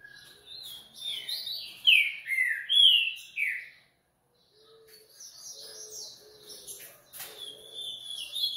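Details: Coleiro delivering a loud phrase of descending whistled slurs, followed by a short silence and then softer, buzzy high chatter.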